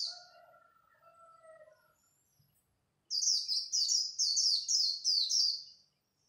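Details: At dawn a Japanese white-eye sings competitively in khuyên líu style. A long series of sharp, high, down-slurred notes follows about six times in steady succession after fainter low whistles.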